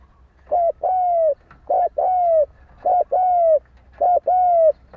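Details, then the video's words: Spotted dove calling, a sound used to lure and provoke fighting. Four quick, regular phrases, each a short note followed by a longer smooth coo that bends downward, sounding clearly in a quiet place. "Tiếng chim cu gáy đấu bổi dùng kích mồi"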